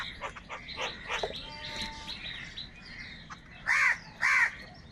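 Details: Crows from a huge flock, said to be fighting for food, giving loud harsh caws: scattered calls early, then two strong, drawn-out nasal caws near the end amid a busy chorus of other crow voices.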